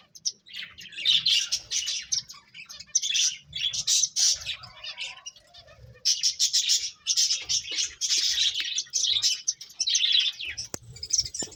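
Finches chirp almost nonstop, a dense chatter of high, thin twitters and buzzy notes in overlapping bursts, with a few faint clicks.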